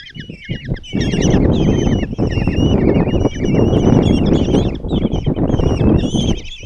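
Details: Five common kestrel chicks begging as their mother brings breakfast and feeds them at a nest box in Tiszalök, Hungary, on 26 June 2024; dense overlapping high, wavering squealing cries over constant low rumbling and rustling.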